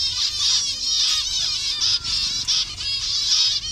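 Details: A continuous high, buzzing chatter of many finches in a zebra finch colony in Bangladesh, colour variations kept together, with a few nasal beeps standing out.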